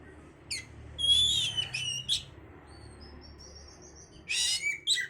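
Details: Oriental magpie-robin song meant to bring on breeding condition: a sharp chip, a buzzy whistled phrase, thin high drawn-out whistles, then a loud harsh burst with chips near the end; low hum underneath.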